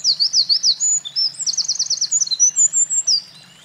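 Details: A Eurasian wren sings vigorously at a mountain pass on 28 April 2024, after carrying nest material. Zigzag trills, ringing high notes and a fast rattle follow in quick succession for about three seconds, then stop.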